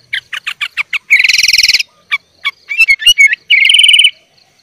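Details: Sooty-headed bulbul singing a full filler-rich song meant to train young bulbuls: a string of short clipped notes, then a rapid buzzy trill, scattered chirps, and a second rattling trill to close.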